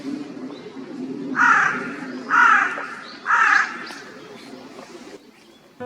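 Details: Urban Carrion Crow in a Japanese city, whose voice is described as subdued, gives three hoarse, rasping caws about one a second over a low background hum.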